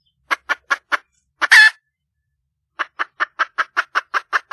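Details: Wild junglefowl hen calling for a mate: four quick clucks, a single loud raspy squawk, a short silence, then ten evenly spaced, sharp clucks.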